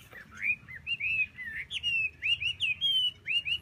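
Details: Chinese hwamei in full song: a continuous run of loud, clear whistled phrases, each a rising or falling slur with warbled turns, following one another after brief gaps over a faint low hum.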